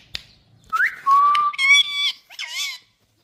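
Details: Talking rose-ringed parakeet, the Indian parrot: a rising whistled note, then a long flat whistle, followed by rich harmonic, voice-like syllables that waver and dip like imitated speech.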